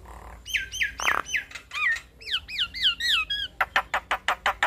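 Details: Javan myna song for training other starlings: a short rattle, a series of repeated two-part slurred whistles, then a quick row of dry clicking ticks.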